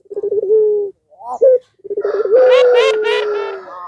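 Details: Puter pelung (Barbary dove) cooing meant to goad other doves into calling: trilled low coos that settle into a long steady tone, while a louder, brighter voice overlaps toward the end.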